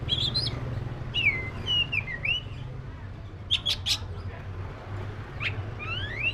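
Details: Oriental magpie-robin, black-breasted form, giving sweet slurred whistles that rise and fall, a pair of sharp clicking notes midway, then two quick upslurred whistles near the end; low hum underneath.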